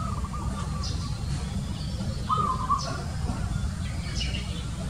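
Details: Zebra dove giving short bursts of soft, stuttering coo notes that repeat at a steady pitch, over a constant low rumble of background noise.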